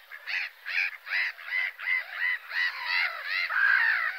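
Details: A seagull gives a steady run of about nine arched, nasal, yelping notes, each roughly half a second apart, rising and falling in pitch.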